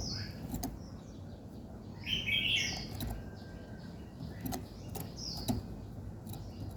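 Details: Birds singing in the morning: scattered high chirps and whistles, a louder harsh scratchy phrase near the start, and regular sharp clicks over low steady noise.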